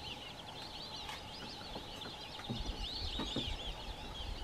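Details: White-faced whistling ducks near a waterbuck at an African nature reserve give high, thin whistles over a steady background hiss.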